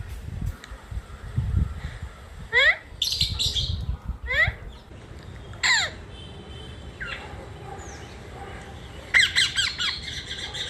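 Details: Indian ringneck parakeet recorded from a terrace in Sahakarnagar, Pune. Sharp, grating screeches that sweep downward come in separate bursts every second or two, followed by a final cluster of harsh squawks.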